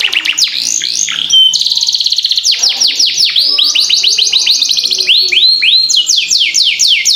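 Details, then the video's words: Canary in a long rolling gacor song meant as a tutor for young caged birds: a warbled opening, then a dense run of quick downward-swept notes, ending in repeated loud looping whistles. "Masteran Kenari Gacor Ngerol Panjang"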